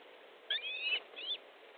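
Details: Evening osprey calls at a nest in Estonia, 13 July 2014 at 19:30, around a fish delivery; two high, thin whistled notes, the first longer and gently falling, the second short and arched.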